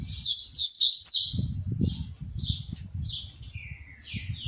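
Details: Caged double-collared seedeater singing while hopping between perches: a dense, fast, twittering warble of high notes at the start, then scattered short chirps and a descending whistle, over repeated low thumps from hopping.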